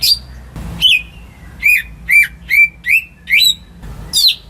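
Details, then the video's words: Home greater green leafbird singing to prompt silent birds: sparse, spaced whistled notes with sharp upward-bending slurs about once a second, between faint rustling sounds. "Cucak Ijo Rumahan Yang Cocok Buat Pancingan Burung Macet"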